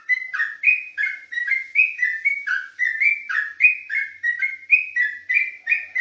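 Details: Olive-backed tailorbird at night in quick ropelan singing, rendering a continuous string of clear whistled notes, each slurring down then up, spaced evenly about three to four each second.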